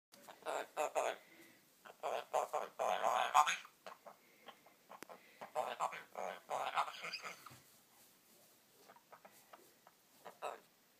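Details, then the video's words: A female parrot talking gibberish to herself indoors: rapid babbling, speech-like syllables in uneven bursts, some clipped and some drawn out, with short pauses and a quieter stretch of softer mutters toward the end. "Parrot talking gibberish to herself"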